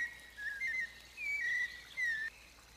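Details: White-necked thrush (Turdus albicollis) in Arapongas, Paraná, Brazil, singing slow, fluted whistled phrases around mid pitch, four short notes spaced roughly half a second apart, with faint background hiss.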